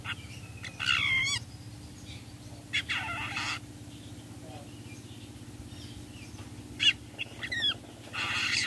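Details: Long-tailed shrike lure call, styled 'toet toet', used to make other shrikes answer: harsh, raspy bursts in four scattered groups with brief twisting notes, over a steady low hum.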